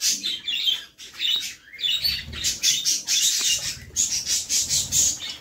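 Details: Budgerigar mother feeding babies in a nest box; rapid pulsing, buzzy begging chatter repeated several times a second, nearly continuous, with soft low rustling from the nest.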